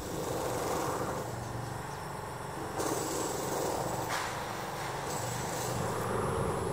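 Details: Continuous traffic and engine drone on a university campus in September, with shifting broadband hiss and no animal sounds.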